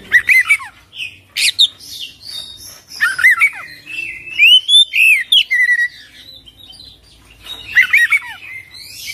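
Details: Oriental magpie-robin in full isian ngerol gacor song, with bursts of sharp, varied whistles and scratchy chips, then a long run of clean, bouncing whistled notes, a pause, and another rapid burst near the end.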